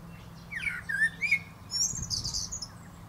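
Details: Singing male common blackbird perched atop a plum tree: a short, slurred, whistled phrase of two or three fluty notes followed at once by a high, squeaky twittering flourish.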